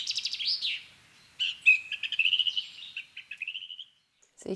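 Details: Song thrush (Turdus philomelos) singing bright, varied phrases, picking and repeating several, with a common chaffinch singing at the same time and a voice cutting in at the very end.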